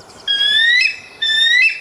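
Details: Bald eagle (Haliaeetus leucocephalus) giving its actual call: two thin, high whistled notes, each slowly rising and ending in a brief squeaky break, with no other sounds. This is the real bald eagle voice, unlike the red-tailed hawk cry often dubbed over it.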